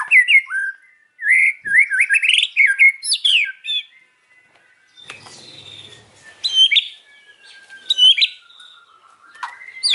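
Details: White-rumped shama afternoon song: a quick series of rising slurred whistles, then scattered sharp notes over a faint rustling noise, ending in a long thin whistle.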